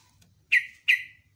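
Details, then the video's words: Sooty-headed bulbul in top singing form on a morning: two loud, punchy notes, each sliding down from a sharp start into a thinning whistled tail, spaced about a third of a second apart, with a faint low hum beneath. "TRUCUKAN ROPEL NGECRUK, NEMBAK"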